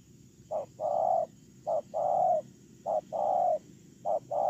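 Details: Spotted dove working as a ground decoy, October 2018, repeating low hollow coos in pairs of a short note and a longer one, about once a second, over a steady murmur of background noise.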